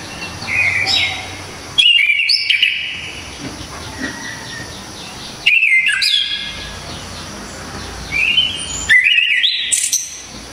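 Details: Orange-headed thrush of Java singing its loud, dense 'tembakan' song: four separate bursts of varied whistles, quick slurs and piercing high notes, each about two seconds apart, with quieter softer phrases between.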